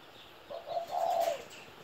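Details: One mellow coo phrase from a 17-year-old pet spotted dove: two short low notes and then a long smooth coo, with a brief hiss of noise near its end.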